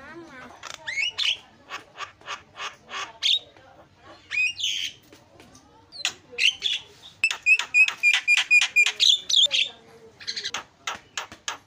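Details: Starling sounds as a lure for other birds: sharp clicking notes in quick series, harsh squawks, then a fast repeated ringing whistle of about a dozen notes and more clicks.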